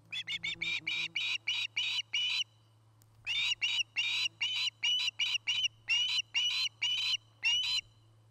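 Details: Nest-camera recording of Ospreys at a treetop nest in Charlo, Montana, 2018: two bursts of quick, sharp whistled chirps, many notes each, divided by a short pause, with steady low hum beneath.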